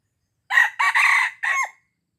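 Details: Crowing of a red junglefowl in Aceh, played to attract wild birds: four loud, rasping segments in under two seconds, a short opening note, a strained rising phrase, a long harsh middle and a falling final note, with no background noise.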